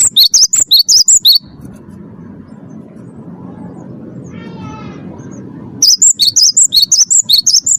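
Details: Champion 'wingko' Cinereous tit singing a lure song to encourage captive birds: two bursts of fast, shrill, high chirps, with a low buzzing, droning sound rising in the gap between them.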